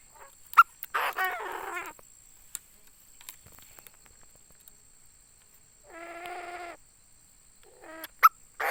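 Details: Caged decoy Chinese francolin, tame and calling well: two loud, harsh, grating phrases of stacked, wavering notes, one about a second long and one shorter a few seconds later, with sharp clicks and near silence between.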